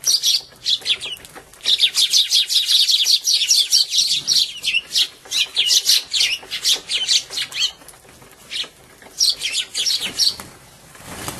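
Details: A flock of sparrows on 8 February 2011, chattering in dense bursts of sharp, high chirps, several calling over one another as they fight while eating, between dashes to hide in a bush.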